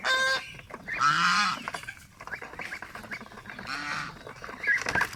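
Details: Pet domestic geese kept together with ducks: loud nasal honks, one short blast at the start, a longer harmonic honk near one second, another around four seconds, with softer clucking and rustling between.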